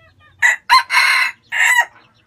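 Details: Red junglefowl in Vietnam crowing once, loud and hoarse, in four separate pieces: short, short, long and grating, then a final slightly wavering note, with faint low rumble before it.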